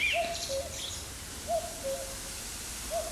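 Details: Common cuckoo calling in an acacia grove on 13 June 2020: low, hollow two-note cu-koo, the second note lower, repeated about every one and a half seconds, with a faint higher bird note at the start.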